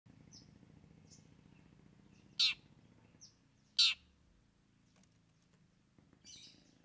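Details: Long-tailed shrike singing mimicked phrases, kept as a trained bird: sparse high chirps with two loud, harsh, broadband notes about a second and a half apart, over a low steady hum.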